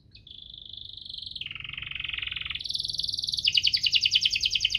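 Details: Canary song used as a lure to stimulate canaries that are slow to sing: high continuous rolling trills shifting pitch in sections, dropping lower then rising, ending in fast bright repeated chirps.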